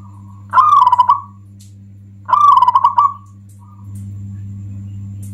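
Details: A local zebra dove sings two loud, rapid, trilled rolling coos about two seconds apart, then a faint short coo. Its song is said to anger other doves and serve as a lure. A low hum grows louder at the end.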